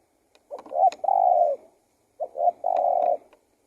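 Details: Spotted dove giving two cooing phrases, each of two short notes followed by a sustained soft note. Light clicking sounds are heard alongside.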